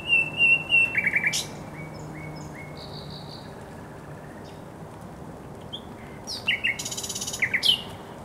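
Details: Thrush nightingale song at the Żerań Canal, Poland, on 24 April 2022: opening burst of rapid chopped notes and whistles, a pause with faint notes, then a loud rattling, churring strophe.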